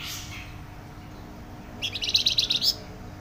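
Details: Flamboyan bird singing loudly and densely: after a quiet pause, a fast rattling sequence of high, buzzy notes pours out for about a second, roughly eight notes in quick succession.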